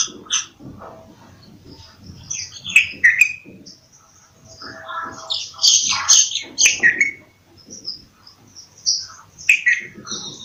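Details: Bulbul phrases of rich, slurred notes in separated bursts, within a dense mix of high chirping birds and a low background rumble.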